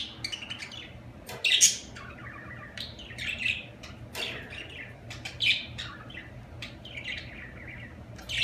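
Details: Budgerigars twittering with quick high chirps and warbled phrases, a loud burst early on and several clicks and scratchy sounds scattered through, above a low steady hum.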